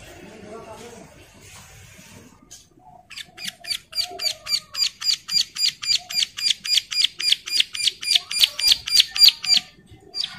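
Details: Bar-winged prinia female in breeding condition calls to other females, which answer: after quiet background, a long, even series of about two dozen sharp, high chips, roughly three per second, louder toward the end.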